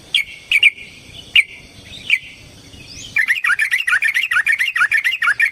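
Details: Yellow-vented bulbul fighting song used to lure other bulbuls: a few spaced, bright notes, then a fast, even burst of chattering, bubbly whistles.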